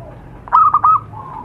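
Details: Zebra dove in the wild, recorded as a lure call: a single brief coo phrase of three fast notes running into a smooth, slightly trilled ending.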